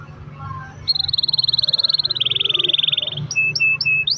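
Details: Canary in full song ('gacor'), long rolls used as a lure to get other canaries singing: a fast buzzy trill that drops lower partway, then short high whistled notes, over a faint low hum.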